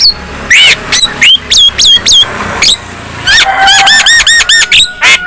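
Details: Black-winged myna singing to provoke other black-winged mynas: a series of rapid, evenly spaced falling whistled notes, then a quicker run of repeated whistles.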